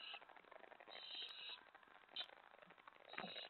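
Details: Owlets at night, 25 May 2017, during a mouse delivery with five young present. Rasping, hissy screeches rise and fall in overlapping bursts over a steady noisy background with a few sharp clicks.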